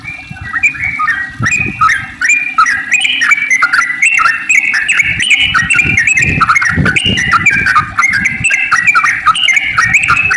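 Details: Sooty-headed bulbul delivering a long, rapid song that serves as a lure for other bulbuls: continuous, lively slurred whistles rising and falling, with a few soft low knocks.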